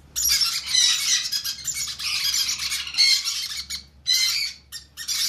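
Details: Begging conure chicks at a hand feeding: long, harsh, scratchy squawking that runs for several seconds, then breaks into shorter rasping bursts.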